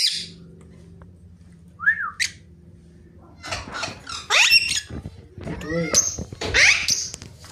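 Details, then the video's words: Pet ringneck parrot said to be talking: a varied run of harsh screeches and squeaky, rising and falling notes, several overlapping bursts in the second half after a quieter start. "Mithu Parrot Talking Face To Parrot Talking and Ringneck Videos"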